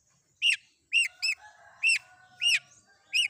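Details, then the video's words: Long-tailed shrike combination fill-in song, said to draw replies from other shrikes: six loud arched whistled notes, each rising then falling, given about twice per second over a faint steady lower tone. "Cendet Manapun Bakalan Langsung Nyaut Dengar Suara Isian Kombinasi Cendet Cendet ini"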